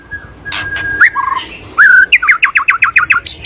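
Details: White-rumped shama lure song to get a bird singing: a thin steady whistle, a rising slur and a low warble, then a brisk run of about eight repeated rising notes ending in a high note.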